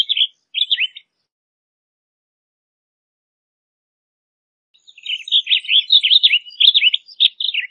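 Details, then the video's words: Migratory blue grosbeak giving two short warbled phrases, then after a pause a longer rapid, scratchy warble of repeated slurred notes lasting about three seconds. "Blue Grosbeak Song! Blue Grosbeak Call! Grosbeak Song! - Picogrueso Azul Canto"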